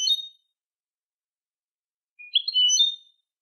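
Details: European goldfinch singing, recorded for tutoring young goldfinches: the tail of one high twittering phrase, then about a second of silence and another tinkling, slightly buzzy phrase under a second long.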